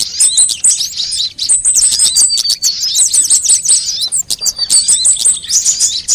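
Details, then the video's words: Mixed sunbird calls played to lure birds and prompt them to sing: a busy stream of sharp, very high twitters and repeated short trills, bursts separated by brief gaps. "suara pikat semua jenis burung kolibri"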